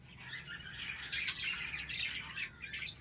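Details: Morning budgerigar colony kept for breeding, quieter and more distant: a soft continuous warble of chirps and squawks from many birds, with a low background hum.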